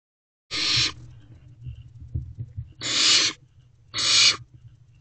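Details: Barn owl owlets in a nest box just after midnight on 21 May 2023, one preening its sibling as they wait for food; three harsh, breathy hissing bursts, the first two separated by a long gap, over a low background hum.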